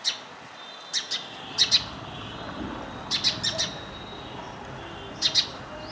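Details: Repeated chirp pairs and triplets from an Indian house sparrow, a breeding resident near cultivation and homes in India, spaced roughly a second or two apart over a steady hiss.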